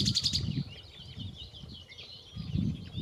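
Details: A nightingale sings from nearby bushes where it has held on for weeks: a loud opening burst, then runs of quick high chirps and trills over a low rumble of wind or distant noise.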